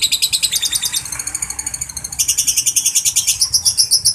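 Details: Caged lovebird calling to other lovebirds, in long continuous ngekek chatter: rapid, regular, high-pitched chirps at roughly two and a half per second, shifting in pitch midway and running without pause.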